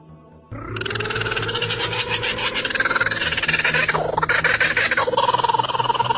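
A kookaburra gives a loud, rough, rapidly pulsing cackle that rises and rolls on without pause, over a low droning musical hum.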